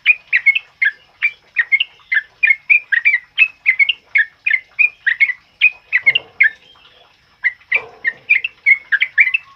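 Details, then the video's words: Loud ropel uplik song of a sooty-headed bulbul, a master recording for tutoring other birds: rapid chains of whistled, slurred notes, briefly pausing near six seconds and again near eight before resuming, with a short low rustle. "Suara TRUCUKAN ROPEL UPLIK Lantang Keras Buat Masteran"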